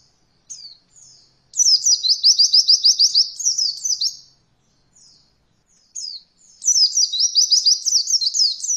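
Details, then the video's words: High-pitched white-eye roll song used to train beginner birds: a few thin chips, then two long rapid trills of quick beaded notes, each around two seconds, separated by brief soft calls. "Masteran Pleci Paling Ringan Untuk pemula belajar Roll Voll"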